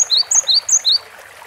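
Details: Short Cinereous tit phrase: three clear, high whistled pairs, each a high note dropping to a lower slurred one, delivered quickly before silence.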